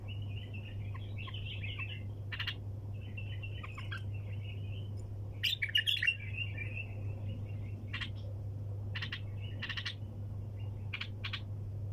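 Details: Bulbul performing the wing-tapping 'hunter' style (tor sayyad) nonstop: soft warbled chatter at mid-high pitch broken by sharp, crisp clicks in short bursts, over a steady low electrical hum.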